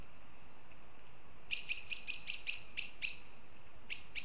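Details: Northern goshawks in Riga, Latvia: a fast series of sharp, harsh, evenly spaced notes, about eight in a row, then a pause and two more notes, over a faint steady background hiss.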